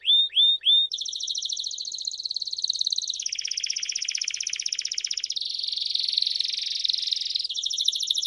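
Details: Canary song, described as rare and used for training young canaries: three quick upward-hooked whistles open, then a chain of fast, high trills and rattling rolls that change character every one or two seconds.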